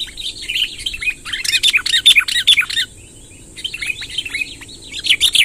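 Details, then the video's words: Lure recording of a chatty sooty-headed bulbul, long rolling song meant to attract wild birds: rapid clusters of liquid warbled notes, a short pause near the middle, then more phrases, with a constant faint high tone behind. "suara tembakan BURUNG KUTILANG NGEROL PANJANG | gacor kumpulkan kutilang liar"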